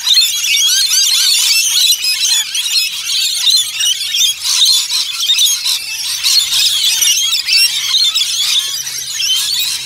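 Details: Many rainbow lorikeets together at Lone Pine Koala Sanctuary, Brisbane, fill the air with piercing overlapping screeches and chirps. The noisy chatter rises and falls slightly in intensity over ten seconds.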